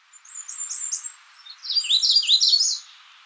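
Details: Magnolia warbler: a soft, high series of slurred notes followed by a louder, bright phrase of rapid rising-falling whistles, over a faint steady background hiss.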